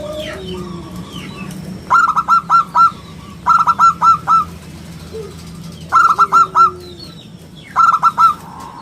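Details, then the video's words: Zebra dove of local stock in full song, its clear round voice used as a lure and as a master for teaching other birds: four phrases of four or five quick ringing coos, one about every two seconds. "suara bulat kristal - perkutut lokal gacor suara istimewa buat pancingan dan masteran"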